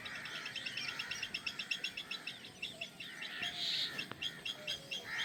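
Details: Drongo chicks, newly hatched, calling from the nest while awaiting food from the mother; rapid series of short, scratchy chirps repeated about four times a second, rising into a louder cluster midway.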